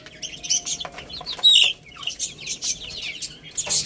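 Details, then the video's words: Young chickens chirping as they play and feed, with bright, high peeps that drop in pitch, one loud peep near the middle, and crisp tapping sounds. "Cute Little Chicks Chirping Sounds| Baby Chicken Playing and Eating"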